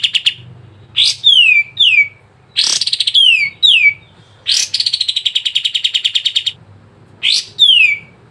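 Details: Sooty-headed bulbul song played to get caged birds singing: sharp explosive notes alternate with clear downslurred whistles, with a fast pulsed trill in the middle and a final chirp-and-slur phrase.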